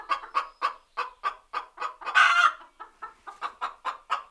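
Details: Hen cackling while laying an egg: rapid series of short clucks about four per second, broken by one louder, harsher drawn-out squawk midway before the clucking resumes.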